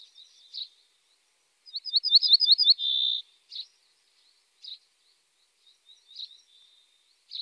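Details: Common starling song with a quick series of clicking, rattling notes followed by a steady buzzy whistle, then scattered soft chirps and short squeaks with pauses between.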